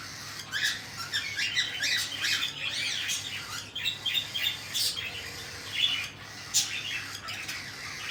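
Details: Feeding of cockatiel chicks by their parents; scratchy, wheezing squawks come in irregular clusters, busiest early on, then scattered sharper single rasps.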